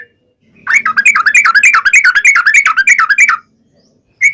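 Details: Trucukan, the yellow-vented bulbul, in a lively 'gacor' lure song meant to prompt other birds to reply: one unbroken run of quick, bubbling, up-and-down notes lasting about three seconds, followed by a short silence and a single note.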